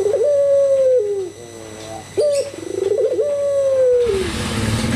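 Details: Lure cooing of a Barbary dove meant to provoke other doves: two long, even coos, each starting with a quick upward note and sliding down at the close. A burst of broad noise follows.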